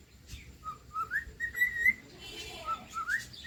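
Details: Singing cockatiel: short clear whistles rising in pitch one after another, with a brief burst of rustling noise near the end before the whistles resume.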